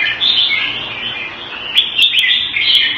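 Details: Red-whiskered bulbul, caged and kept Thai style in Singapore, giving a steady stream of warbling, slurred whistles, with sharp tapping clicks near the end.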